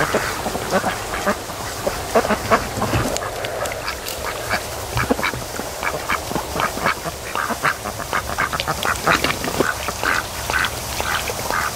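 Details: Many ducks resting and sleeping at a lake in the afternoon sun, on day 92 of raising them, making a steady soft chatter of short quacks and murmurs throughout.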